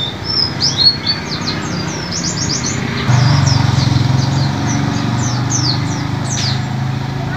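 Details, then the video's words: White-eye song used as a lure and to prompt silent birds to sing: rapid, high, thin chirping notes in quick overlapping bursts, over a steady low engine-like rumble that grows louder midway. "pancingan pleci macet bunyi"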